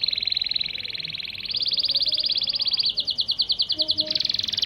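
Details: Local Syrian canary song used to train and stimulate young chicks to sing, with rapid repeated high notes changing tempo and pitch across tours, rolling trills and a faster rattled section near the end.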